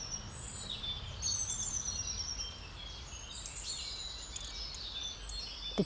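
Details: Great tit (Parus major) sings bright, repeated two-note phrases in spring in Herzogpark, Munich, Bavaria, among blue tit and nuthatch calls, over a low rumble of distant traffic, during a common breeding bird survey.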